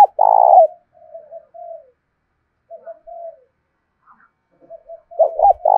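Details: Decoy spotted dove with a 'giọng thổ' voice style, cooing to provoke other doves to coo back. A loud burst opens, soft low coos follow, and a strong stuttered double coo returns at the end.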